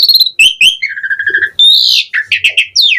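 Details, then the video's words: Asian pied starling (jalak suren) delivering a varied, showy song: steady whistles, a stuttering series of short notes, a loud upward-swelling whistle, then quick chirps and a falling slur. "Pancingan Jalak Suren Gacor Mompa Variasi Mewah / Masteran Suara Burung Jalak Agar Gacor Full Isian"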